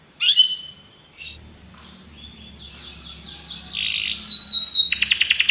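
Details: Belgian canaries: scattered high chirps and soft warbling notes over a low background hum, building at the end into a loud, rapid rolling trill.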